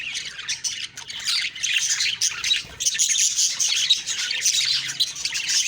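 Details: Budgie chatter recorded in the morning of October 2, 2023, a harsh, squawky twittering that dips briefly, then returns as a thick wall of high chirps.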